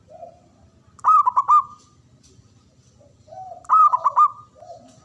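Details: Male zebra dove (perkutut) calling: a low soft note, then a stuttering phrase of several quick clipped coos ending in a drawn-out tone. The pattern repeats twice, with faint low rumble behind.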